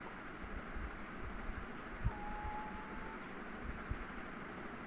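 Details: Low rumbling background noise with soft thumps and a faint steady tone in the middle; no animal voice is heard.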